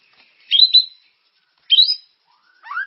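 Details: White-rumped shama lure song meant to stimulate caged birds. Two short high whistled notes with a slight flutter, spaced over a second apart, then a low-to-high slurred phrase.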